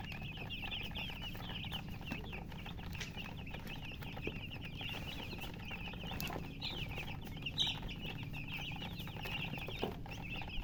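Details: Many domestic chicks, said to be thirsty for drinking water, give shrill high peeping chirps in a steady overlapping chorus for the whole stretch over a low rumbling background hum.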